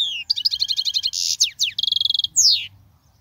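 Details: European goldfinch song for teaching young birds: a rising note, fast repeated chirps, harsh buzzy bursts, rapid rattling trill and a final long downslurred wheeze.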